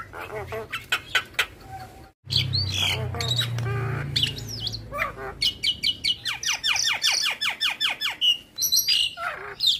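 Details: Javan myna, song full of imitated sounds, recorded to train other mynas: clicks and squawks, a brief gap, low rumbling chatter, then long runs of fast descending whistled strokes and harsh notes.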